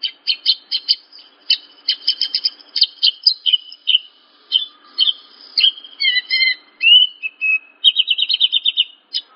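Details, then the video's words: Training song of Horsfield's bush lark for teaching other larks: a busy string of sharp high chirps, short pauses, then buzzy sliding notes and a fast rattling trill at the end. "Masteran Burung Branjangan"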